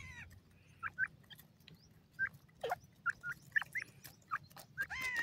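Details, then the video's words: Grey francolin male and female calling together: short whistled notes, some slurred or rising, given in scattered bursts among sharp clicks and low background hum. "francolin male female together sound"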